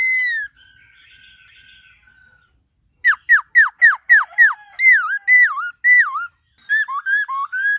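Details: White-cheeked laughingthrush singing its varied forest-style song: a faint steady whistle, then a rapid series of sharp downslurred whistles, followed by dipping looped notes and short wavering phrases.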